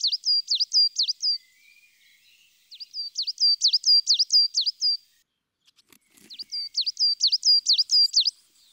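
Coal Tit singing three quick bursts of high, thin, swooping notes, each repeated about eight times, with short pauses between bursts. The background is quiet.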